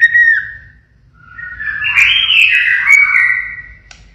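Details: Pied-marked white-rumped shama singing a siren-like phrase: a sustained whistle that rises and wavers over about two seconds, after a short falling opening note, with faint clicks.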